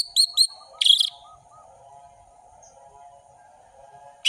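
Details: Orange-headed thrush song in a tutor recording for young birds: two short high whistled notes and a chattering burst, followed by a faint low steady hum, then a new phrase beginning.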